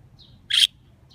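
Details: Pet budgerigar taken to a local park under cherry blossoms answers wild bird calls with a single sharp, noisy chirp lasting a fraction of a second, flanked by faint high whistled notes.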